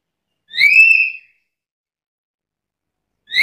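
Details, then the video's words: One full rising-then-level whistle from a Black-capped lory, followed after about two seconds of silence by the start of another. "Suara burung nuri kepala hitam gacor isian komplit"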